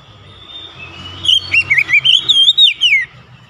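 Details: Oriental magpie-robin (kacer) in gacor-style song: after a second of quiet, a run of rich whistled notes near the top of its range, looping up and down, short phrases linked into a warbling stream over faint low hum.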